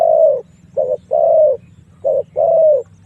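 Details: Lure call of a spotted dove, meant to draw wild doves into a long fight: soft, low coos in pairs of a short note and a longer, slightly falling note, heard clearly against quiet background.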